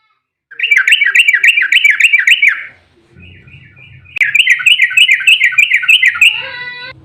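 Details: Fighting song of an agitated Yellow-vented bulbul, used as a lure so other bulbuls respond: two runs of fast, regularly repeated swooping notes with a low rumble between them, and a steady electronic-sounding tone at the end.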